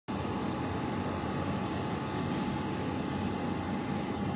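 Loud, continuous engine-like roar with a thin steady hum running throughout and no animal voices.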